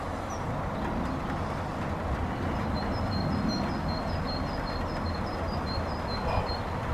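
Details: Male and female common kingfisher interacting, possibly pre-courting, near reeds at a bird hide at Forest Farm; thin, high, short piping notes repeated in a loose series over a steady low rumble of background noise.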